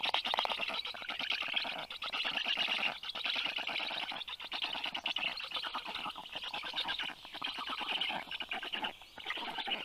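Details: Rescued black stork chicks, 29 days old, begging while being fed at a university veterinary clinic in Tartu, Estonia, 20 June 2022, 2:24 p.m.; dense, rasping, rapidly pulsed calls run almost continuously with brief dips.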